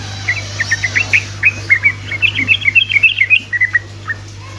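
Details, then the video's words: Sooty-headed bulbul singing a fast ropelan sequence meant to prompt other bulbuls into song: a string of short, sharp chirped notes quickening into a tight bubbling run, then tailing off, with a faint steady hum behind. "Trucuk ropelan GACOR🔥‼️ amunisi untuk burung trucukan malas bunyi otomatis langsung nyaut🔥‼️"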